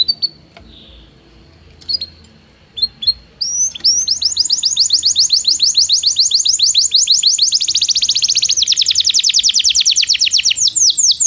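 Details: Belgian canary song for training non-singing canaries: scattered soft notes and short chirps, then a long, rapid, steady trill of high downslurred notes lasting several seconds.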